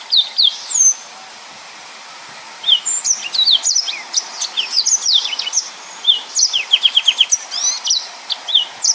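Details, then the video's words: Yellow-fronted canary in gacor form, singing the 'nembak full rapet' style. Bursts of high slurred whistles alternate with brief silences, and a fast run of repeated sharp downward notes arrives near the end. "Burung Mozambik Gacor||Suara Nembak Full Rapet"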